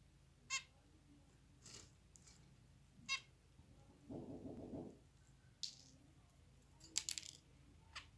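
Zebra finch giving short, nasal, trumpet-like calls at irregular intervals, with clicks and a low murmur.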